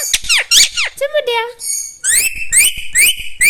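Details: Talking pet parrot indoors, producing a quick series of harmonic, voice-like sweeps, then a short low warble, followed by repeated bright rising squeaky whistles in a steady run.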